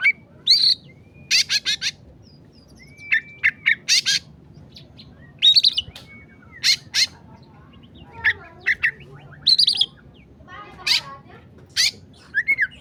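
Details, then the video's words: Oriental magpie-robin singing emosi-style on a masteran recording: sparse phrases of sharp clicks, brief whistled slurs and a short level whistle, separated by quiet gaps over nearly thirteen seconds. "masteran kacer emosi"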